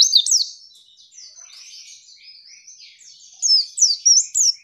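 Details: A female white-eye, recorded as tutor song to make birds sing, opens with loud high chirps, fades to soft twittering, then closes with a few sharp, bright notes.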